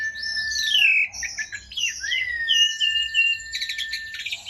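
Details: An Asian pied starling sings a rich medley, descending slurred whistles and chattering notes over a sustained tone, closing with a rapid dry rattle of short clicks.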